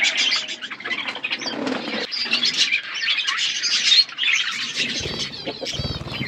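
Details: Many budgies eating food, a constant blur of high twittering and chirps with brief wing flapping, a short pause near the four-second mark, then low thumps near the end.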